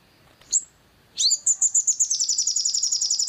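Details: From a long-tailed shrike (sogon) lure track for triggering song: a single high chip, a pause, then an upswept note launching a fast, steady, high buzzy trill that continues to the end.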